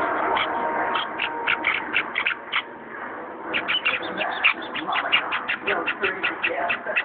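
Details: Four hungry Java sparrow chicks, on their third day, being hand-fed give quick, sharp, high chirps, a few each second and faster toward the end, over soft background music.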